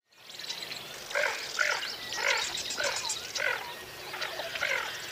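Lesser Scaup giving short, hoarse nasal notes, about six in a row roughly every half second, over a steady background hiss.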